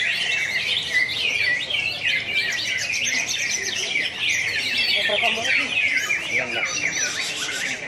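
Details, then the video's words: Greater green leafbird (cucak hijau) singing at the national Road To Presiden Cup IV contest in Pontianak, West Kalimantan, Indonesia, 3 April 2016; dense, rapid high twittering and chattering phrases, other birds overlapping, faint human voices beneath. "BURUNG CUCAK HIJAU"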